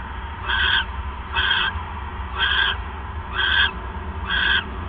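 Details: Owl on the night of December 28, 2014, 9:42 PM, as the male brings a third mouse; five harsh, wheezy screeches come evenly spaced about a second apart over a faint low hum.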